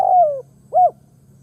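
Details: Spotted dove kept as a decoy to draw in other doves. A long, gently falling coo ends, then a short rounded coo note follows. A faint steady low hum runs underneath.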